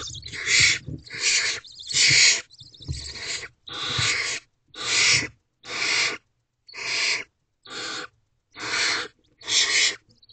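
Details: Barn owl owlet in a nest box at 1:00 am on 1 May 2023, begging to get an adult's attention: harsh, hissing screeches, each about half a second long, repeated roughly once a second in a steady series.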